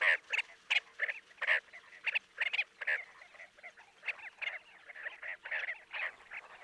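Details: Chestnut-bellied sandgrouse in Jeddah, Makkah Region, Saudi Arabia; a series of short, throaty, nasal clucking notes given in uneven bursts, some overlapping as from several birds, with faint background hum.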